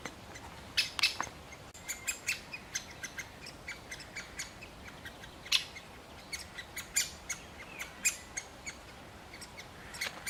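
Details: Male great spotted woodpecker feeding a chick and calling: a long series of short, sharp, clicky notes at irregular intervals, some louder and doubled, with faint hiss behind.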